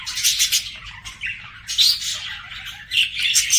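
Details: Budgie song from a pet bird: harsh, hissy chatter and bright chirps in uneven bursts, with louder scratchy squawks rising near the end.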